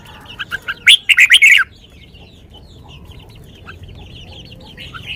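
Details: Red-whiskered bulbul in sweet lak wai song: a few soft lead-in notes, then a loud rapid string of five or six rich, warbling whistles, followed by faint twittering from surrounding birds.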